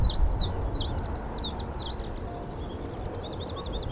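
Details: Common Chiffchaff in spring at RSPB Rainham Marshes, a brief clip from a mound on the reserve: a quick run of high, sharply falling chip-like notes, about three a second, fading after two seconds over a low rumble of wind and A13 traffic.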